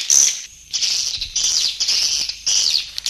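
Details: Grey-breasted prinia call played for luring wild birds: high buzzy churring bursts in four phrases separated by short pauses.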